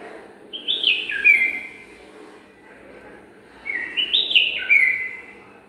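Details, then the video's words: A pair of bulbuls preparing their nest in a garden, checking each corner of it, gives two bright, bubbling phrases of quick whistled notes, dipping and rising, about three seconds apart, over a low steady hum. "Pair of Bulbul preparing the nest with their lovable voice"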